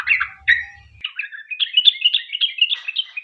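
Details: Sooty-headed bulbul singing rapid 'ropel panjang' song as a lure for other bulbuls. It opens with a few chattering notes over low thuds, then moves into a quick, even series of short high whistles.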